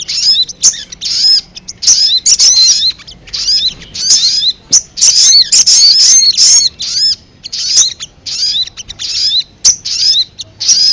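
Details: Ruby-cheeked sunbird calling on a lure recording aimed at drawing wild birds close: a long, irregular series of short, very high chirp bursts and curved whistled notes with brief gaps between.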